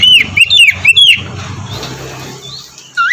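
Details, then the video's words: White-rumped shama, kept as a reluctant singer's morning therapy, singing short clear whistled notes arching around a high pitch, four quick phrases in the first second then a pause and a rising whistle at the end. "terapi pagi cocok untuk mancing kacer malas bunyi agar cepat gacor"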